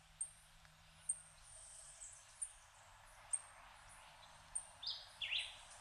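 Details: A Puerto Rican emerald, endemic to Puerto Rico, feeding its chick: tiny, very high, thin chips repeated about once a second, then a quick cluster of lower squeaky notes, over a soft steady hiss.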